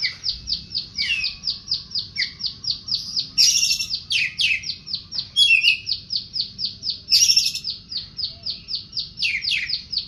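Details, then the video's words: Oriental magpie-robin (kacer poci) singing vigorously: a fast, steady run of short high notes, about four per second, broken by louder harsh, scratchy bursts near the middle and later in the phrase. "kacer poci gacor"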